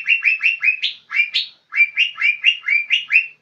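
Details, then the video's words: Young lesser green leafbird in full, energetic song: a lively run of sharp, slurred chirps repeated several times a second, with short pauses splitting the run into three bursts. "Cucak ijo muda super gacor"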